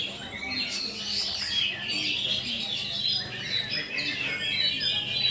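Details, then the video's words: An Oriental magpie-robin sings in full voice at a singing competition launch event in Jambi, Sunday 19 November 2023, finishing runner-up. Its high, chattering, warbling phrases run on without pause over murmuring voices and a low background hum. "Kacer Asker Buka Urat Ambil Posisi Runner Up di Launching AJB"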